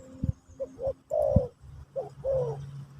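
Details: Spotted dove (terkukur) singing in the Pesom/Kacuk style during a teaching session for a new bird: soft low cooing notes, short paired coos followed by longer drawn-out downslurred coos, with low thumping knocks in the background.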